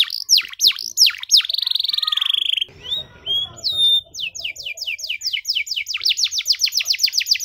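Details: Canary song meant for teaching young canaries to sing: fast downward-sweeping whistled notes, a long buzzy trill, a brief noisy break, then a quick run of repeated rising-falling notes.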